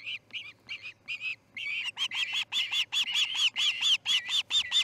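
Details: Osprey chick fledging from the Charlo nest on August 10, 2018, at 6:03 am: a string of high, piping chirps, first in short spaced pairs, then quickening into a steady rapid series.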